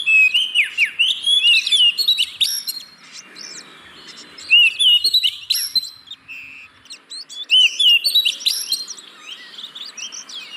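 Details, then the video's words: Oriental magpie-robin singing, played to encourage reluctant caged birds: bursts of rapid chirps and whistled slurs every few seconds, with quieter gaps between the bursts. "Pancingan Burung Kacer Yang Malas Bunyi"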